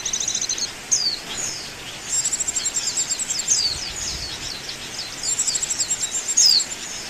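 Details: High-pitched Oriental white-eye twittering used to lure birds for trapping, with long pulsing buzzy trills and occasional quick falling whistles over a faint hiss.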